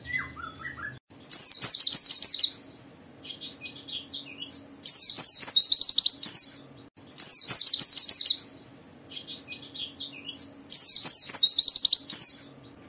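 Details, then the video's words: Gacor white-eye song used to trigger other white-eyes into singing: four dense bursts of high, rapid twittering, each about a second long, repeated roughly every three seconds with quiet softer notes between. "Suara burung Pleci ini Ampuh memicu semua Pleci cepat Buka Paruh dan gacor"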